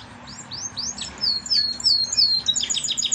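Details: Surviving young canary from a nest of yellow parents, head pecked bare: a quickening series of high downward-sweeping notes that runs into a fast rattling trill.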